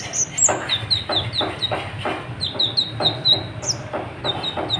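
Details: Sunbird (kolibri ninja) singing continuously to provoke other birds: rapid high chips and downward-slurred notes repeated several times per second, with occasional louder sweeping whistles, light background noise.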